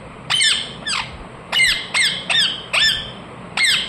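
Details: Loud, shrill descending screeches from a pet ring-necked parakeet, seven calls in under four seconds, some doubled, each a quick harsh downward slur with a clear ringing overtone.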